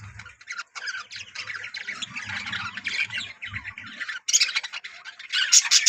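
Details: Colony of yellow budgerigars, some kissing, chattering together in a busy warble of scratchy squawks and chirps over a low hum, with sharper, brighter calls toward the end.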